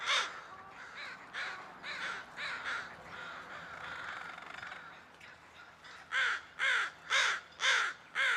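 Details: Crows of a murder calling, overlapping background caws giving way to a loud closing series of five harsh, rasping caws about half a second apart.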